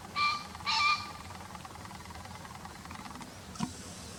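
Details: Green pheasant call taken from a bird field guide recording: two loud, harsh, harmonic-rich notes in quick succession near the start, followed by quiet background with faint scattered clicks.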